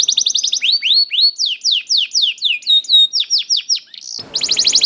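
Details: Young canary singing to spur other canaries into song: a fast buzzy trill, then evenly spaced sweeping chirps about four per second, high tinkling notes, and a sudden trill over brief noise at the end.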